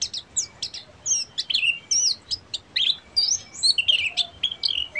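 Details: Ngeriwik song of a Buxtomi Oriental white-eye: lively, high-pitched twittering with fast slurred whistles and sharp chirps, pouring out continuously.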